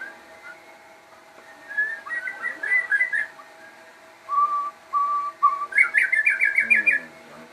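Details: Captive crossbred shama in lively song: twittering whistled phrases, three level whistled notes, then a fast bright trill, with a low hum throughout.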